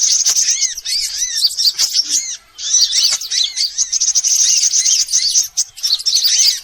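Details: Sunbirds, all kinds combined in a lure to pull birds close: piercing high chirps and rapid twitters crowd together, with curved slurred whistles below and one clear gap around two and a half seconds.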